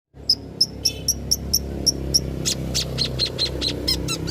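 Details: Long-tailed shrike, locally called cendet, singing as a lure to draw other birds into singing along; a series of sharp high ticks at steady spacing, then faster buzzy notes, over a constant low hum.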